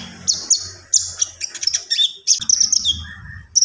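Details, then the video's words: Common iora delivering high trilled and chirped phrases with a lower whistled note near the end, over a steady low hum and background noise. "SUARA BURUNG KONIN GACOR"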